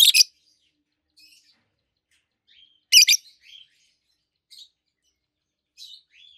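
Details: Two adult green peach-faced lovebirds, one red-faced and one yellowish white-faced, chirping: loud doubled screechy chirps at the start and three seconds later, mixed with softer buzzy notes and short downslurred whistles.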